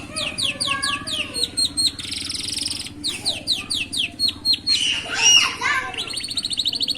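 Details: Canary chicks singing beside a road, their rhythm called unique: quick runs of high rising chirped notes broken by harsh buzzy rolls, ending in a fast, even trill of repeated notes.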